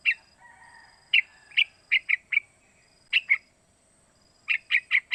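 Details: Calls of a three-month-old sooty-headed bulbul used to prompt other young bulbuls to sing and copy: a soft drawn note, then clipped chirps singly and in pairs, ending in a fast run of four.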